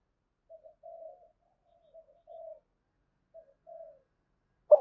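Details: Spotted dove in the 'thổ' voice, cooing in the 'thúc gù' manner to lure other doves. Three quiet phrases, each a short note then a longer hollow coo, ending with a sharp click.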